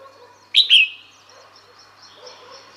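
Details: Calling female red-whiskered bulbul summoning males: two quick clear whistled notes in rapid succession, the second trailing into a faint tail, then quiet background.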